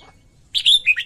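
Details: Female red-whiskered bulbul in song to arouse males: a single rich, whistled warble that rises and then drops through several slurred notes. There is faint background hum.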